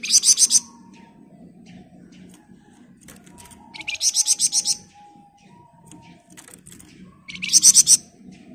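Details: Flamboyan bird in full dense ngebren song, recorded as a training master: three separated bursts of rapid shrill pulsed notes, each under a second long, about every three to four seconds, with a faint background tone.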